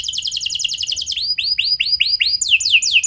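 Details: Canary lure song with long trills in the 'cengkok mewah' style, used to get other canaries singing: a quick high trill, then rounded arched whistles, then crisp descending notes repeated several times a second.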